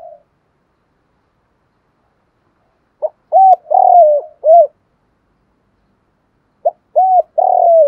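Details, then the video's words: Spotted dove calling as a decoy to provoke fighting: after a quiet start, two phrases of strong, hollow arched coos, a clipped note, rounded hoots and a long falling coo, about three and a half seconds apart. "chim cu gáy Mồi bài bản giúp bổi nhanh nổi/ cu gáy kích bổi"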